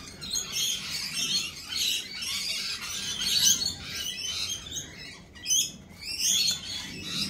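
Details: Lorikeets chattering at a cafe, with a constant stream of shrill rasping calls and sharp chirps, several louder screeches standing out in the second half.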